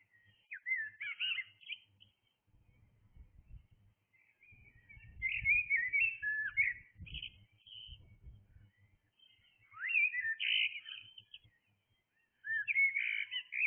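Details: Blackbird singing in the early hours, several separate warbled phrases of fluty, swooping whistles spaced by pauses, over intermittent low rumbling background noise.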